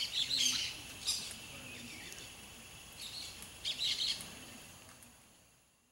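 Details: A blaze-winged parakeet (Pyrrhura devillei) gives harsh, scratchy screeching calls in short bursts, two early and a louder cluster near the end, over a soft background hiss.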